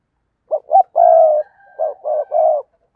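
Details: Spotted dove used as a decoy to lure wild doves, cooing. Short low coo notes lead into a long steady coo, then a group of three rounded coos, with near silence between phrases.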